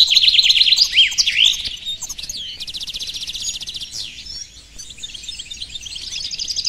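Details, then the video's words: Goldfinch mule singing: looping whistled slurs at first, then a fast even rattle, a sweeping note, and a softer, continuing twitter over faint low noise. "Mulet Phénomène"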